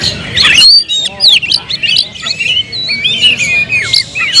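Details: Oriental magpie-robin song: a burst of loud whistled phrases, then looping slurred notes and short sharp chirps that come in quick, uneven bursts with brief pauses.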